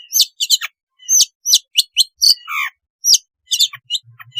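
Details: Long-tailed shrike song, a natural recording played as therapy to get reluctant caged shrikes singing: rapid high chattering of sharp, varied twittering notes in bursts, with one lower slurred phrase midway.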